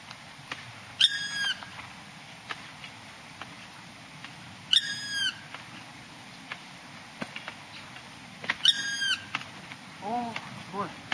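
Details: Black woodpecker calling on Mount Sapporo at Hiyamizu stream, 6 April 2012: three short ringing, harmonic call bursts about four seconds apart, with scattered sharp clicks and faint lower notes near the end.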